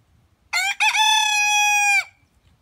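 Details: Loud rooster crow, a short first syllable, a brief gap, then a long steady rich tone with many overtones, cut off sharply before silence.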